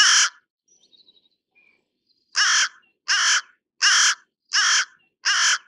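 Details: A carrion crow (Corvus corone) gives harsh, raspy caws, one at the start, then five in a steady series about every three-quarters of a second, with faint small bird notes between.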